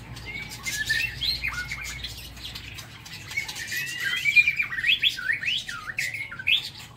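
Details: White-rumped shama in a morning aviary delivering a lively song of zigzagging whistled and warbled notes that grows louder in the second half, with background clicks.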